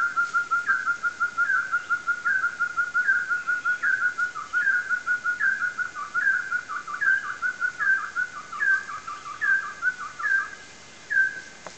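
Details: An orange-necked partridge in Tan Phu, Vietnam, gives a steady series of mellow, rising whistled notes, about one per second, overlapping into a quicker doubled run midway.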